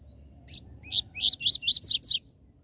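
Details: TUI TUI ZEL ZEL style song of a captive double-collared seedeater, played to heat up caged birds. Two soft introductory notes lead into six loud, regularly spaced buzzy phrases sliding downward, over a quiet room background.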